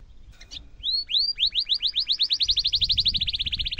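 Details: Canary in full song, a long sharp roll used as a tutor recording for young canaries: after a brief chirp, rapid upswept whistled notes repeat about four per second, speeding into a dense even trill with a faint low hum beneath.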